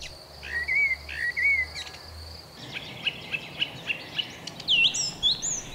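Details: A common blackbird sings in a forest on an early spring morning: varied, clear, bright whistled phrases, then a short run of repeated notes and high twittering flourishes, over faint background hiss.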